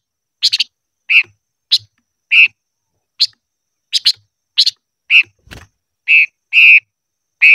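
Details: Silver-eared mesia song during voice training: buzzy, wavering mid-pitched whistles alternate with sharper high chips roughly twice a second, broken by one brief scratchy noise.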